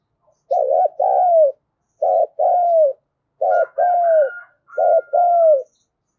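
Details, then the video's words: Decoy spotted dove cooing to make other doves answer: four phrases in steady succession, each a short quavering note then a drawn-out falling coo. A thin, high steady whistle runs beneath the last two phrases. "Tiếng chim cu gáy thúc bổi hiệu quả nhất"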